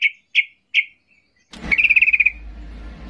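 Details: Agitated sooty-headed bulbul singing to provoke quiet bulbuls into answering. Three separate clear notes spaced apart are followed, after a low thud, by a fast trill of about eight rapid notes over faint background hum.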